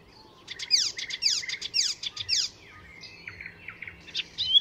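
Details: Icterine warbler, a master mimic, singing at Fysingen north of Stockholm: fast descending sweeping notes, then a softer stretch of varied chirps and a thin sustained whistle.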